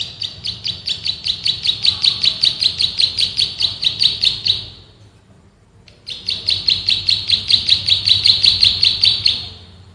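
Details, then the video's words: Two long bursts of high, evenly paced chipping notes, nearly thirty each, separated by a second of quiet; a male bar-winged prinia in the fast ngebren style, recorded for training other birds. "MASTERAN BURUNG PRENJAK SAWAH GACOR, NGEBREN TEMBAKAN RAPAT"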